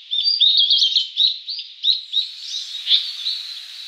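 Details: A Blue-and-white Flycatcher, a summer visitor in Japan, sings a quick run of high, clear, slurred whistles, several per second, fading into softer buzzy notes at the end.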